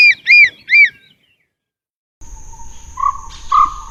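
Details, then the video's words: A bird gives three quick, bright, arched chirps in a row, followed by a pause, then a low hum with two short, warbled notes over background noise. "Sounds of the bird"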